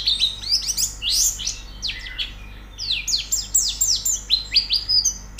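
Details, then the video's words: White-eye song used as training audio to get a bird singing: fast, high twittering of sharp descending sweeps and chirps, tumbling in quick bursts through the whole stretch without pauses. "Terapi Pleci Cepat Gacor Buka Paruh"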